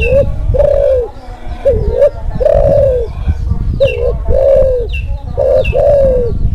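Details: Spotted dove of the Kelantan (klantan) type in breeding mood, used as a master call to stir silent doves and to lure birds: mellow, low coos in three-part phrases, the last note long and bowed, over a strong low rumble and a few high chirps.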